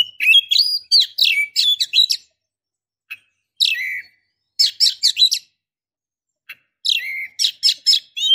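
A female Oriental magpie-robin gives bright whistled and chattering notes in quick bursts of about one to one and a half seconds, with short pauses between. Nothing else is heard.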